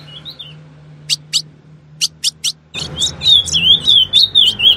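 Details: Female ultramarine grosbeak (azulão) giving song intended to make any male sing: a brief, soft, wavering whistle, then several sharp chips, then a loud, fast, looping warble of high notes at an even pace.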